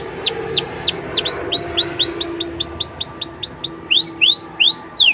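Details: Canary lure song for young birds: a steady series of bright descending whistled sweeps about four per second, ending with louder upward-slurred notes, over a faint low hum.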